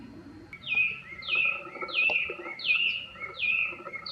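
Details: Chinese hwamei singing from a cherry tree in full bloom, one of two birds, a non-native species: loud, clear whistled phrases with a slight downward slur, repeated roughly every 0.6 seconds.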